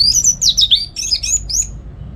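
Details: High, sweet warbling from a caged orange-headed thrush at a home in Singaraja, North Bali, singing in the morning to tutor other songbirds: quick tumbling phrases of thin, twisting notes in four short bursts, background quiet.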